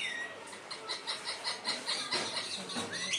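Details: Pet talking parrot that says "mummy": a quick string of nasal, buzzy notes, about three per second, ending in a rising whistled slur.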